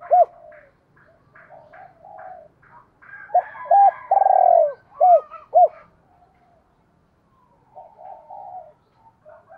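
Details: Decoy call of a spotted dove in 'giọng thổ' style: faint soft coos at first, then a loud run of short arched coos around a long rolling coo, fading back to quiet murmurs.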